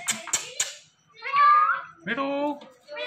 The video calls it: Indian Ringneck Parrot Talking